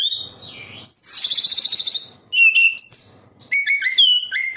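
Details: Oriental magpie-robin in energetic song, used as a lure to get captive birds singing; clear whistled notes, a loud buzzy rattling burst, then varied sharp whistles and quick slurred phrases around high pitch.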